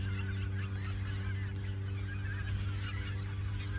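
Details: Geese in the Ochsenmoor nature reserve in autumn 2022, a few days before migrating south; a flock honks continuously, with overlapping nasal calls over a steady low rumble.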